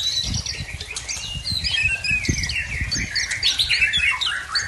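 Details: Aceh white-rumped shama from Tangse showing off its learned repertoire in a rapid, varied stream of high chirps, trills and scratchy phrases, over steady low background noise.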